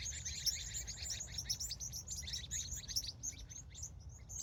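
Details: Birds calling at sunset on a California evening: a dense, unbroken chorus of high, rapid chirps and tweets from many overlapping birds, over a steady low rumble of background noise.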